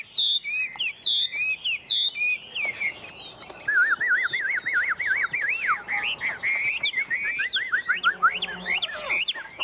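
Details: Chinese hwamei, a tame caged bird, opens with sharp clipped notes, then pours out a long rippling series of wavy whistles, then swooping slurs.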